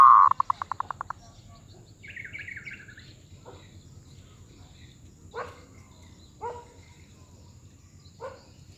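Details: Zebra dove with a medium-pitched voice (suara sedang) giving a rapid burst of about ten staccato coos in its first second, followed by faint scattered chirps and soft clicks from other birds.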